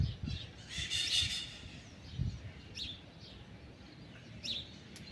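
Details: Free-flying Blue-winged macaws feeding on pitanga fruit in trees about four metres overhead; one harsh, broadband screech near the start, then a few faint, short chirps over low rumbling background noise.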